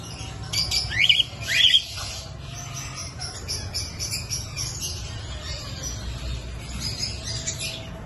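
A cockatiel gives two quick, rising chirped calls, then quieter chatter follows.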